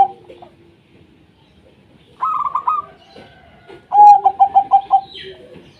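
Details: Local zebra dove song meant to prompt reluctant doves to sing: after a quiet stretch, a higher rolling phrase is followed by a strong burst of six quick, evenly pulsed coos.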